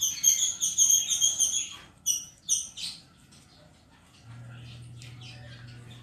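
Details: Pet cockatiel dancing and rubbing its tail while singing: a rapid run of bright, high chirps in the first seconds, a few louder squeaks, then quiet with a low steady hum underneath.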